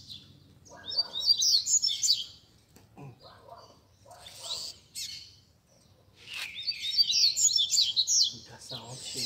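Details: Caged Rusty-collared seedeaters singing as a group during a Sunday gathering of keepers, meant to warm up a competition bird: two bursts of bright, rapid, chattering high phrases separated by quieter gaps with faint murmurs.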